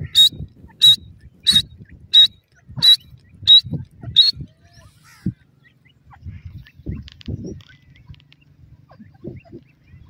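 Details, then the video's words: Teetar, the grey francolin, male and female: seven shrill, squeaky call notes at an even pace of about one every 0.65 seconds, then the calling stops, leaving faint low knocks and rustling. "teetar nar R madi ki awaz,grey francolin female vs male ki voice"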